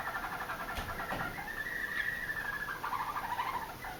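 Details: Roller canary, a pet, singing its first roller song after finishing the moult, not yet smooth: soft, sustained rolling warbles and trills, wavering and halting, under steady background hiss.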